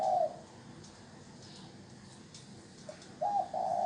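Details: Decoy spotted dove calling to attract wild doves: a low hollow coo at the outset, a long quiet gap, then a two-part coo phrase closing the recording.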